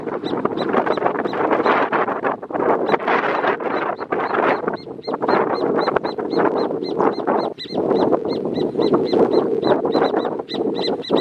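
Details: A hornero pair marking territory at Amarras del Gualeguaychú protected natural area. Rapid, evenly spaced bright notes run almost continuously beneath heavy, loud rushing noise that partly masks them.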